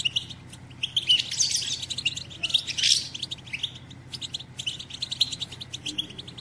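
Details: Female European goldfinch giving batbata, a call said to stir males to sing and mate: dense, high, rapid twittering chirps in bursts, loudest near the start and middle, over a low steady hum.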